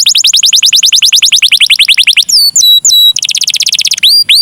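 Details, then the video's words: Canary in cengkok mewah style, a recording for luring other canaries into song: a fast rattling run of downswept notes, then flat sustained whistles alternating with a renewed quick trill and upswept notes. "SUARA BURUNG KENARI CENGKOK MEWAH DURASI PANJANG||COCOK PANCINGAN KENARI"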